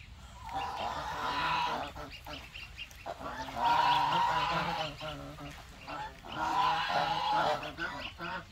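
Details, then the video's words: Goose, in a recording of a gosling: nasal, harmonic honking calls in irregular bursts around the second, fourth and seventh seconds, rising and falling in loudness, with a faint background hiss. "Goose baby"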